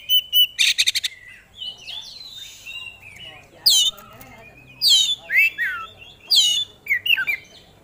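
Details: Oriental magpie-robin, a competition songbird, singing vigorously and showing its repertoire of fill-in phrases: a few sharp bright notes, then clear whistled slurs and warbles, with loud, steeply falling whistled notes repeated every second or so.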